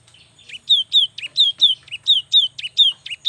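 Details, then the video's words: Young cinereous tit in persistent song, meant to make lazy birds sing: a steady run of clear two-part whistled notes, a bright high note dropping to a lower one, repeated about twice per second. "SUARA yang PALING DI SUKAI BURUNG GELATIK"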